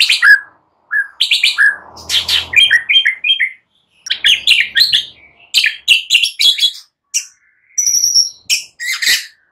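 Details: Morning song of a white-rumped shama, played to prompt mute birds to respond: dense, varied phrases of sharp chirps, slurred whistles and high ticks in quick succession, separated by brief silences.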